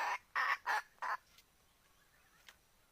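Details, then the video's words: Chicken giving four quick, loud, harsh notes in a row, then fainter calls over a steady hiss of background noise. "Suab qaib seev zoo mloog"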